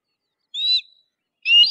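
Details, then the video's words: Two rasping, high screeches from a Harris's hawk. The first is short and grating. The second starts after a second of silence and is cut off. "Harris's Hawk Call - Harris's Hawk Sound - Harris's Hawk Song - Harris's Hawk Scream - Screech-Voice"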